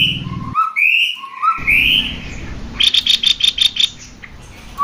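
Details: Male and female cucak kopi singing, used to encourage other birds to sing: rising whistled slurs, then a quick run of sharp repeated clicks or chips, over a steady low hum.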